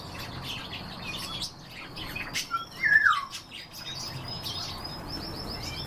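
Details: European bee-eater calling at the start of the morning: one clear, rolling, liquid call that slides downward in the middle, with weaker high chirps around it.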